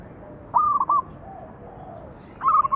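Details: Lure song of a zebra dove for making other doves sing: a mellow rolling phrase of a sustained coo breaking into quick notes, then a second phrase beginning just before the end.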